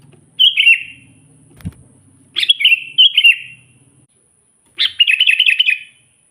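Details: Sooty-headed bulbul calling to rile wild rival bulbuls, natural voice: three liquid phrases, the last a longer rolling warbled trill, over a faint low rumble with a single knock.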